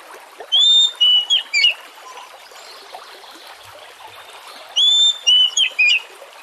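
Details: Oriental magpie-robin song played as a lure to get other magpie-robins singing: two bursts of loud clear whistled notes, rising then falling, separated by a few seconds of soft hiss.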